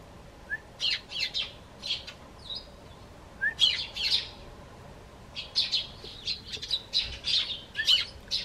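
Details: Eurasian tree sparrows perched on a garden bench, calling out to the person stepping out of the house. Short sharp chirps in quick clusters of two to four, with brief pauses between groups.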